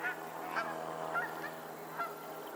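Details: Geese on a Pennsylvania lake honking in quick succession, four or five short nasal calls about half a second apart.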